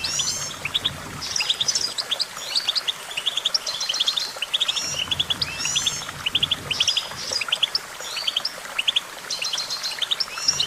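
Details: Long stretch of goldfinch song, with rapid repeated chips, warbled trills and short rising slurs in a steady chattering flow, over light background noise.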